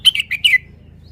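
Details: Red-whiskered bulbul uttering a quick phrase of four clear whistled notes that slide slightly downward, close and loud against a quiet background.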